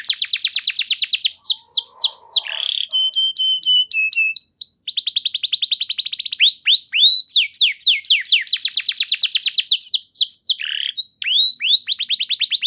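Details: Long canary song used to get other canaries singing: varied rapid trills of falling notes, a brief flat whistled passage, then more fast rattling trills and sweeping slurs, continuous and loud.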